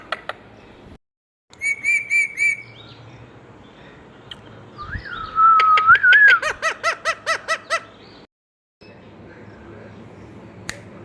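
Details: Indian ringneck parakeet talking and whistling: a short high repeated phrase, a looping whistled slur, then a rapid series of buzzy rasping syllables fading away.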